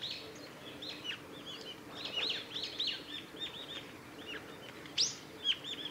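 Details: Brown-eared bulbuls (Hypsipetes amaurotis) call among cherry trees in a nature observation garden on 10 March 2019: busy short, sharp chirps and downslurred squeaks, one loud upward screech near the end, over a faint outdoor hum.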